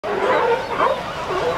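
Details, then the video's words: A Brandt's Cormorant chick, recorded while being fed on 18 August 2015, gives a steady, wavering, whining squeal that rises and falls in pitch without a break, like a whimpering puppy. "Brandt's Cormorant chick feeding"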